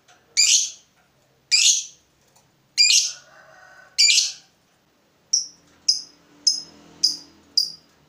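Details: Fighter lovebird provoked by a rival, answering with "ngetik": four loud harsh, squeaky chirps about a second apart, then a quicker series of short, thin, high ticks roughly twice a second.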